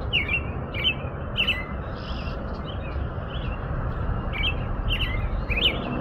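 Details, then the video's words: American robin caroling: clustered, rising-and-falling whistled phrases at an uneven pace with faint squeaky tails, and steady low background noise throughout. "impressionante canto do sabiá-norte-americano"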